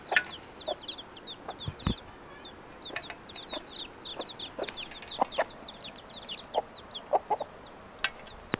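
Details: Mother hen taking her five chicks out to forage: a steady stream of high, downward-sliding chick peeps, several every second, broken by brief low clucks and scratchy ticks near the ground.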